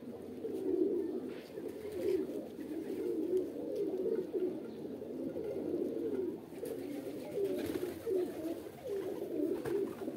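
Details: A group of pigeons coos in a continuous low, burbling chorus, with individual rolling coos rising and falling throughout.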